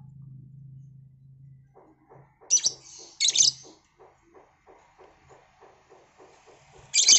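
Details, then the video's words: Noisy lovebird in the afternoon: a few sharp, very high squeaky calls stand out over a run of faint, evenly spaced ticking notes and a low hum at the start. "Burung Lovebird Berisik"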